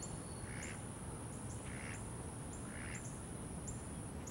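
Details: Domestic Muscovy duck quacking: three short, hoarse, breathy calls spaced about a second apart, fairly faint over a steady high-pitched whine and broad low background rumble.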